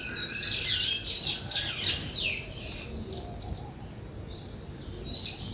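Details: Natural sparrow chirping, called weaver birds as well: a quick flurry of loud high chirps in the first two seconds, then sparse softer chirps over quiet background noise.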